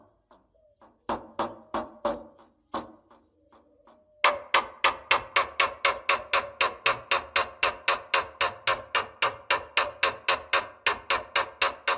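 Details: Rhythmic percussive music with sharp repeated knocking beats and tonal instrument notes, speeding into a steady driving pattern, with no animal voice.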